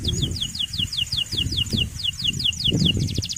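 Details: Male canary used to call a rival and train young canaries: steady series of high falling notes about four per second over loud low rumbling background noise, ending in a quick trill.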